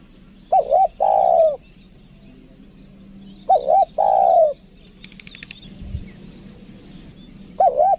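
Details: Spotted dove used as a lure bird in Lombok, "kuk dua" style: a paired short note and a long falling coo, repeated about every three seconds, with a brief rattling noise and a thump between phrases.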